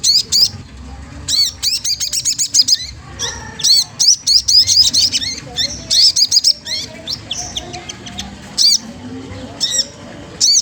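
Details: Magpie-robin singing to provoke a rival: bursts of very high, thin chirps and rising-falling notes in quick clusters, with short pauses between phrases and a faint low murmur underneath.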